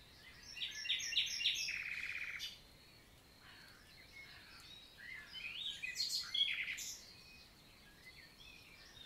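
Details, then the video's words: Daytime summer song of a common nightingale in forest of La Vallée du Célé, Lot, France, June 2023: a loud phrase ending in a rapid buzzy trill, then softer varied whistles and a second louder burst. "NIGHTINGALE MORNING SONG"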